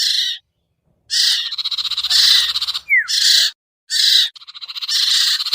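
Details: Pikat sound for the sirtu, used to lure birds down: grating, pulsed buzzy trills in long runs, one sharp whistle sliding downward near the middle, and brief pauses between phrases.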